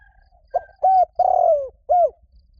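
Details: Decoy spotted dove call for attracting a mate: one low mellow phrase with a short lead-in note, a steady hoot, a long gliding rough coo that drops in pitch, and an ending hoot, faint whistle heard before it.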